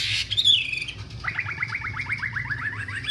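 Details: Wambi bird singing: a short high whistle opens, then a rapid string of about a dozen quick down-slurred chirps, evenly spaced and fairly low, over a constant low hum.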